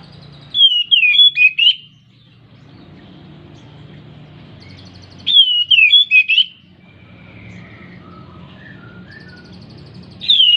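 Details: An Oriental magpie-robin in breeding condition sings loud, varied whistled phrases about a second long, repeated every four to five seconds, over a faint low background hum; the recording is used to provoke silent birds into singing.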